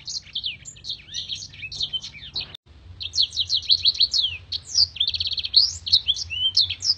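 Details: A blackthroat in full song, used as a master song for tutoring contest birds, gives a long, sharp, clear, crystal-voiced fast high twittering of varied chirps, trills and sharp downslurred notes, with a brief gap midway and a faint low hum beneath.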